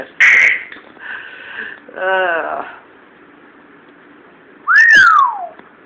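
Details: Pet 14-year-old Timneh African grey parrot, chatty and happy indoors after a recent move to a new house: a sharp whistle, a buzzy harmonic-rich squawk, then a long clear whistle rising and sliding down, with an owner speaking nearby.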